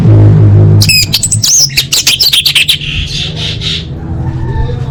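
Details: Orange-headed thrush, a caged bird, singing as a lure to get other birds to sing: a quick run of sharp chipping notes gives way to a high, warbling, slurred phrase, over a steady low hum.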